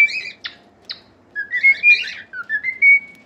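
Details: Cockatiel singing as playback for teaching pet cockatiels to sing: clear whistled notes around mid-high pitch, several sliding and rising, between harsh buzzy chirps, with short loud bursts about every half second and a faint steady indoor hum.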